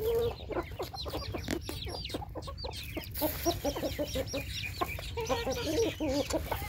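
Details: Hungry chickens rushing in during morning feeding: a dense flock chorus of short, overlapping clucks and squawks that repeat rapidly throughout, with a low rumble of background noise.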